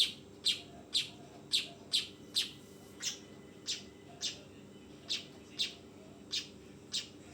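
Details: Young weaver repeating sharp, raspy high chirps, fourteen notes at irregular intervals, louder early on, against a faint steady hum.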